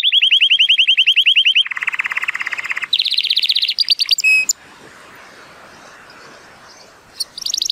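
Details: 83-point male Timbrado Español canary, hatched 2018, singing in sunshine: quick repeated rolls dropping to a lower trill, then higher bursts and a clear whistle before quiet background hiss.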